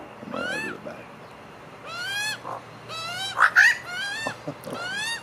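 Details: Eating together, a magpie family gives long, strained rising calls, layered and overlapping, with a few sharper higher notes in the middle.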